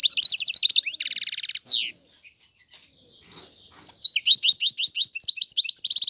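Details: A European goldfinch gives a rapid buzzy trill and rattling phrase, a short quiet spell with soft nasal notes, then more high, tinkling twitters and trills.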